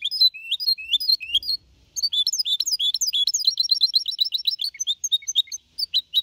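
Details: Young goldfinch mixto, four and a half months old, delivering a clean Malaga-copy song meant to spur other birds: rapid high chirps and slurred whistles in long dense runs, one short break near two seconds.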